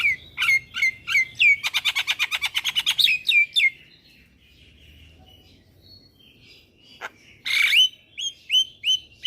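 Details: Black-winged myna song as a lure to make young birds sing: clear downslurred whistles, a fast even train of dry ticks, then a quiet gap and more repeated whistled slurs.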